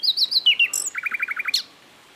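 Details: Asian brown flycatcher song, a recording used for training songbirds: high thin descending whistled chirps, then a quick even series of about eight buzzy notes ending in a sharp rising note, with no other sounds.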